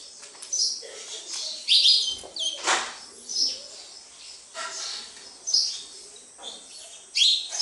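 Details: Sparrows at a house with scattered sharp chirps and a few louder cheeps, plus a soft whoosh of wingbeats early on.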